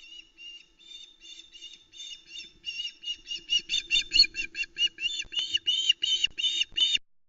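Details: Female osprey calling at the Loch Arkaig nest in Scotland, 1 September 2020, as the male brings a live flatfish: a long run of sharp, high, squealing notes, soft at first, then louder and quicker, about one and a half per second.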